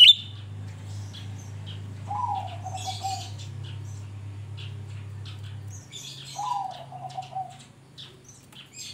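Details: Grey-bellied bulbul in lively song, played as a lure to get birds to open their beaks and sing. Two short, low whistled phrases fall in pitch about four seconds apart, among scattered high chirps and a steady electrical hum.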